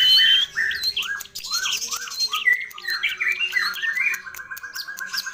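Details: Long-tailed shrike (cendet or pentet) in full, rich song packed with varied fill-in phrases: harsh squawky notes, then a series of slurred downward whistles, ending in a fast string of evenly repeated clipped notes.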